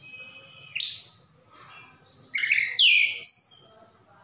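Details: Javan bush lark from Sukabumi in song with imitations of cililin and sikatan londo: a few separate phrases, a rising whistle, harsh down-slurred notes and a high thin whistle, with quiet gaps.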